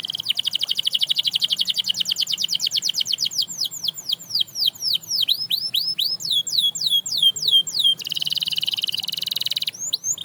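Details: Canary singing to inspire fellow canaries: a long fast trill of clipped notes slows into looping, swooping whistles, then a dense buzzing roll near the end.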